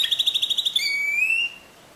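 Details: Timbrado canary singing in the discontinuous style: a fast, even, bubbling high trill of about a dozen pulses, then a pure whistled note gently rising before it cuts off, with faint background hiss.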